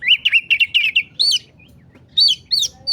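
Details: Agitated song of an oriental magpie-robin, a series of rapid sharp whistled notes repeated about five times in the first second, then higher scratchy phrases with short pauses between them.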